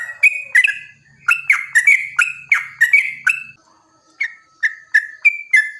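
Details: Rapid yellow-vented bulbul song, long 'ropel' style, played to provoke wild bulbuls into singing; sharp bubbly whistled notes in a fast run, then a short lull with a faint steady tone, then spaced whistles again.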